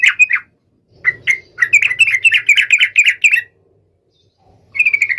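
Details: Sooty-headed bulbul singing loudly to call a rival. Two opening chirps and a couple of separate notes build into a long, rapid stream of warbled chirps, then silence before a final run of evenly spaced notes.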